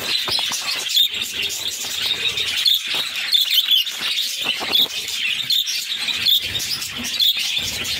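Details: Pet budgies raising six chicks. While the mother feeds them, the young give a steady, grating, high-pitched begging chatter. Short clear squeaks are repeated through it about every second.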